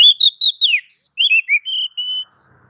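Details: Kacer (Oriental magpie-robin) masteran phrase of pure whistles: bouncing notes, a downward slur, then several steady level whistles, each distinct and spaced evenly, with a quiet close.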